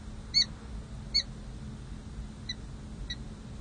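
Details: A peregrine falcon at San Jose City Hall, one of the breeding pair during a long pair-bonding session on 16 July 2024 after the breeding season, gives four short, sharp, harmonic chips, two loud and two softer, about a second apart, over a low urban rumble.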